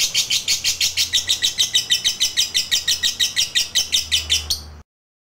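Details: Lovebird giving its long chattering song to provoke rivals, a rapid series of shrill, buzzy notes about three per second that stops abruptly near the end, leaving silence.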